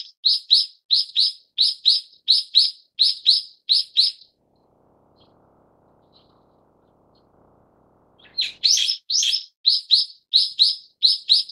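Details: Brown-eared bulbul of the subspecies harterti giving fast paired sharp squeaky notes repeated steadily for four seconds, a quiet pause, then a harsh burst leading back into the same rapid doubled notes.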